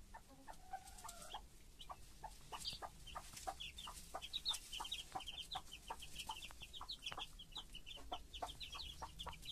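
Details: Broody hen with her chicks: a steady stream of short, high, downward-slurred chick peeps, several per second, mixed with lower, clipped clucks from the hen.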